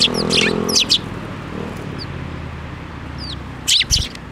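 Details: At a Tenmangu shrine on 7 May 2024, sparrows feeding from a hand make brief bright chirps at the start and again near the end, with scattered faint notes and a steady low drone between.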